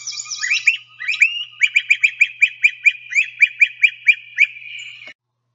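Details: A pair of Great Crested Flycatchers call back and forth, loud, burry rising creep calls then the lower, trilled per-per-per call, a rapid series of sharp notes about four or five per second, over a quiet background; Sibley guide recording.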